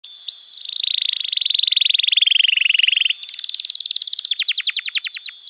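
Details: Canary song used as tutor and lure for young canaries: a fast, buzzy rolling trill held for about three seconds, then a brighter, quicker trill breaking into crisp repeated notes.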